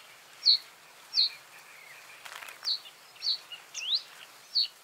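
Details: Spaced single high chirps from a common reed bunting, with one rising slurred note among them and a brief soft rustle midway.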